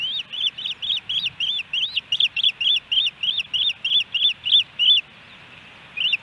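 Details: High piping osprey chirps from a nest in Hellgate Canyon, Missoula, Montana, July 13, 2018, amid fish deliveries: around sixteen rapid arched whistles, a pause, then a single note.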